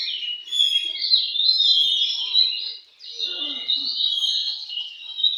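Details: Oriental magpie-robin at a bird singing contest: a dense, continuous, high, chattering and warbling song with a brief dip before it resumes.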